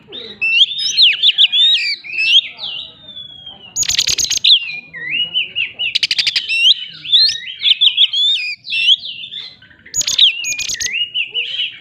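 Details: Oriental magpie-robin in a rolling 'shooting' song meant to challenge rivals: twisting whistled phrases at a high pitch, broken by short harsh rattling bursts near 4, 6 and 10 seconds, delivered continuously.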